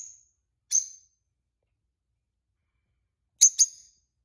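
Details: Pet peach-faced lovebirds, a newly acquired pair; brief shrill chirps, one single and then a quick double chirp, separated by long silences.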